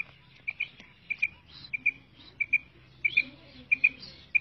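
A female quail gives short, high, sharp notes in quick pairs, about every two-thirds of a second, over a faint low background hum.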